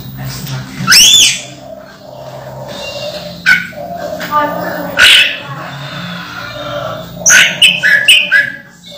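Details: A moulting orange-headed thrush still singing in short bursts: a sweeping rising whistle, then scattered sharp high phrases and chips, over a steady low hum and faint background voices.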